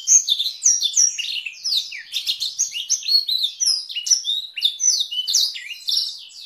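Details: Long-duration canary masteran song featuring Blackthroat-style rolls, for teaching canaries and magpie-robins; rapid, busy high warbling of slurred whistles and twittering trills without pause.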